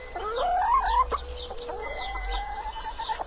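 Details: Hen giving a drawn-out tonal call that rises and wavers, then a second long level note, with faint clucks underneath and a low hum.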